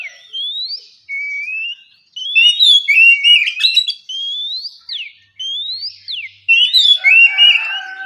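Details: Morning song of an oriental magpie-robin, relaxed ngeplong style: loud rising whistles and quick downslurred notes, phrases separated by short pauses, with a scratchy twittering burst mid-phrase and a low steady hum near the end.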